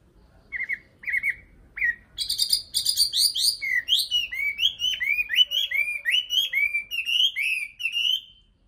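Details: Nightingale song opening with a few spaced, soft, rising whistles, then breaking into a rapid, varied run of loud sweeping and chirping notes that continues for several seconds before stopping.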